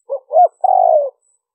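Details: Spotted dove liêu ròng coo for luring wild doves. A brief low note and a rounded hoot lead into a sustained, faintly pulsing coo that slides downward. No other sounds.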